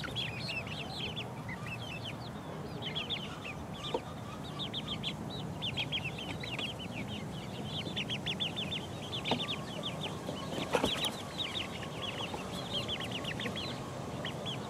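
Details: Four-week-old chicks pecking around, long stretch of high, rapid peeping from several birds, chirps coming in loose bursts over a constant low background hum, with an occasional soft tap.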